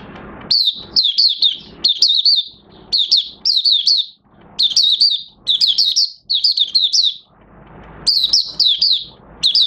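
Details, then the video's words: Oriental white-eye beginning to sing, recorded 30 August 2022 as its new white feathers finish pigmenting: bursts of high, sweet chirpy notes, each a quick falling slur, strung into phrases of three to five with short pauses between. "Mata Puteh Raja Buka Sing"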